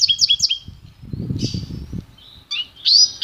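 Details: Goldfinch-canary hybrid (pintagol) delivering quick high trilled notes, then a drawn-out whistle and sharp rising notes, while low knocking and rumbling sounds run underneath through the middle.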